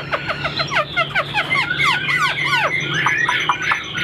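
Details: A caged, about 95% tame Chinese hwamei with a fanned tail sings a loud, rich run of varied whistled phrases, slurred up and down and repeated rapidly, over a low steady hum from nearby building work.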